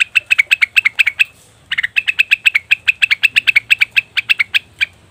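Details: Lure call of a leafbird known locally as cucak wilis/rengganis: a steady stream of high, sharp chirps, roughly five per second, with one brief pause, over a faint low hum.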